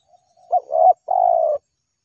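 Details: Spotted dove (tekukur) answering a lure: a soft low coo followed after a short pause by a longer even cooing note that slides slightly downward, with nothing else heard around it.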